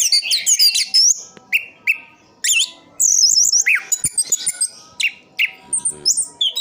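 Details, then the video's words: Caged orange-headed thrush from Sidoarjo, East Java, singing a full rolling song: loud, fast run of high whistled and twittering phrases, with sweeping notes and short pauses between bursts. "Anis kembang "Anti Gempa". Rooll full"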